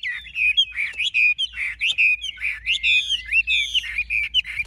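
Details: Large-bodied Chinese hwamei singing a rich, loud run of varied whistled phrases, with slurred rising and falling notes and quick trills repeated in bursts with short pauses.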